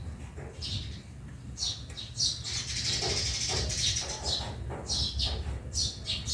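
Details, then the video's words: Sparrows in a backyard giving short, bright chirps in quick, uneven bursts, several overlapping around the middle, over a steady low rumble of background noise. "Honi ng maya sa bakuran/Relaxing sounds of sparrow 🐦 in the backyard"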